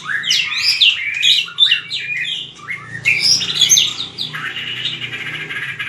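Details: White-rumped shama in fighting-song style (hót đấu), recorded for voice training: a dense, continuous rush of rich whistled phrases, quick rising and falling sweeps and fast trills, loud bursts alternating with softer runs, ending in a buzzier sustained passage over a faint low hum.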